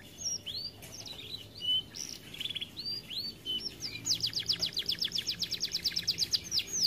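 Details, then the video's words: Canary in an aviary, reportedly singing little because it is too fat, giving looping whistled notes then a long rapid trill of evenly repeated notes. "Kenari malas bunyi akibat TERLALU GEMUK"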